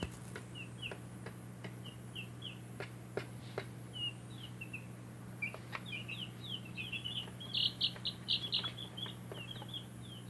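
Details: Baby chicks in a backyard flock peeping: short high downslurred chirps in loose irregular runs, thickening into a busier overlapping burst near the end, over a steady low hum.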